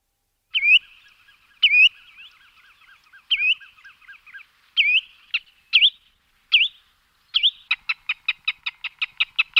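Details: Bird calling, given a local Bengali name: loud, separate V-shaped whistled notes spaced one to two seconds apart, some followed by soft fading chatter, then a quick, even series of short clicks near the end.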